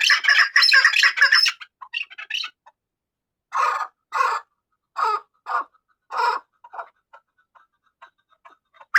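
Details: Chukar partridge (chakor) giving harsh, noisy clucking notes, first a dense rapid burst, then a slower chuck-chuck series of separate bursts about twice a second, fading to softer clucks near the end.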